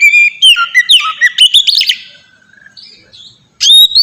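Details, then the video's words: Oriental magpie-robin singing in the ngeplong style, used as a lure to prompt other magpie-robins to sing: loud whistled phrases sliding between high and low notes, then a faint pause before a bright rising whistle returns. "suara burung kacer ngeplong merdu"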